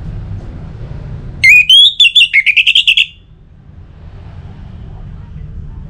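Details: Orange-headed thrush giving song used as a singing prompt for other birds. A short rush of bright whistles ends in quick, evenly repeated notes, then gives way to a low steady hum.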